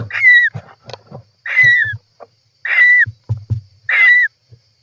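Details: Four loud, harsh calls from a European roller nest on 18 July 2024, each a grating burst ending in a drooping whistle, spaced about a second apart, with soft knocks and scuffling in between.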